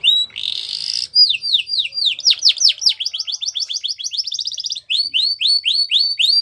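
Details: Champion canary training song: a brief buzzy burst, then rhythmic downward-sweeping whistles, a quick stuttering trill, and evenly repeated rising-falling notes about four per second.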